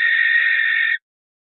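A Barn owl gives a single harsh, hissing screech about a second long, steady in pitch, that cuts off abruptly into silence.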